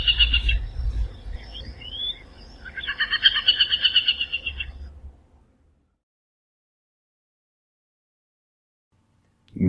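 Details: Aplomado Falcon (Falco femoralis) calling in the Brazilian Cerrado. It gives fast, harsh, pulsed chatter notes, then a brief sliding whistle, then another burst of rapid, repeated notes. Silence follows.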